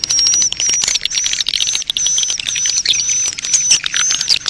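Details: Swiftlets in a mating colony, played to attract more birds: a steady, very high buzzy whine repeats in short bursts over packed twitters and crackling clicks.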